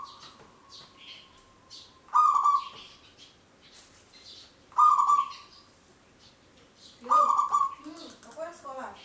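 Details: Long lure song of a local zebra dove: three strong cooing phrases spaced roughly every two and a half seconds, each starting with a buzzy harmonic burst, plus softer twittering from other small birds.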